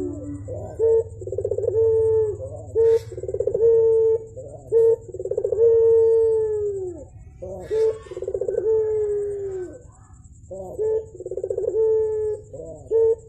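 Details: Continuous cooing by a Javan turtle dove: phrases of clipped notes, fast trills and long slightly falling tones, about one phrase every two seconds across thirteen seconds, with a low hum in the background.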